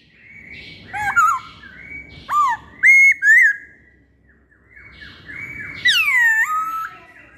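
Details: Masked laughingthrush lure song: loud, clear whistled notes slurring up and down in short bursts, ending in a long whistle that falls and then rises, with brief quiet gaps between phrases.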